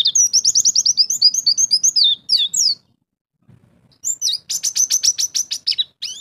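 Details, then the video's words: Champion contest white-eye sings 'ngalas' style with 'isian' imitations: a quick series of rising high chirps for over two seconds, a brief silence, then a dense burst of rapid, sharp, high repeated notes. "Pleci Jawara - Ngalas Bongkar Isian"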